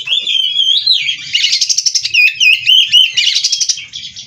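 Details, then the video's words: Captive-bred oriental magpie-robin (kacer) in full song, sliding whistles and rapid buzzy trills alternating in a dense, continuous stream with a faint low hum. "Burung Kacer Gacor Full isian"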